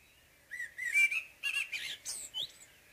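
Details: Blackbird morning song phrase, opening with a low fluty whistle that climbs, followed by hurried, higher chattering notes and a squeaky finish.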